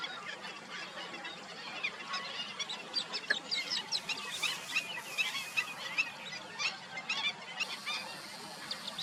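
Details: Asian openbill storks in Thailand in a dense, overlapping chorus of nasal honks and squawks from many birds calling at once, with steady background hiss.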